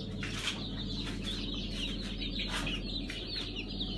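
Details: Brahma chicks hatching in early August 2019 around Kurban Bayramı, many chicks peeping together in shrill overlapping chirps, almost continuous, against a loud low droning hum.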